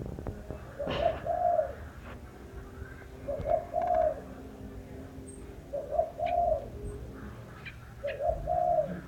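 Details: Singing bird giving deep, mellow coo phrases, each a brief lead-in followed by a longer warbled coo. Four phrases come evenly about every two and a quarter seconds, with faint clicks in the background.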